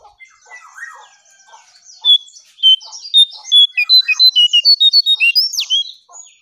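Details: Striped tit-babbler song used as a lure: scattered soft notes, then a long, accelerating series of loud, pure whistled pips, high and slightly varying in pitch, about four to five per second, ending in a sharp downslurred note.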